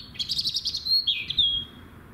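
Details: Robin in full song: a rapid run of high twittering notes followed by a clear whistled glide that dips and then levels out in a thin, sustained tone, with quiet background.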